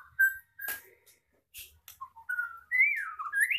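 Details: White-rumped shama, a blorok (pied-variant) bird of extreme gacor type, caged, currently molting its tail, singing varied whistled phrases: short clear notes, a sharp broadband click, then rising and falling warbled whistles climbing higher at the end.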